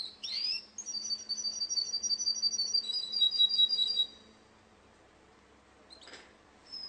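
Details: Russian canary at a singing contest: a sharp swooping note, then a fast, even, buzzy trill of high pulses lasting about three seconds, followed by near silence and a brief later note.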